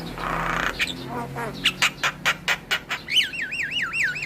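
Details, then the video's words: Javan myna song used to prompt other mynas to sing: a raspy hiss, then a row of sharp clicks, closing with a looping whistled warble. "PAncingan Burung Jalak Bisu Jalak MAlas Bunyi Dengan Suara Jalak Kebo Full isian"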